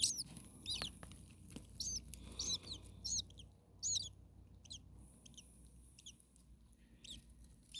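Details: Common starling babies in a hot attic nest, around 40 degrees Celsius, with the parent nearby: shrill high squeaks come in uneven groups for five seconds, then thin out to a few faint calls.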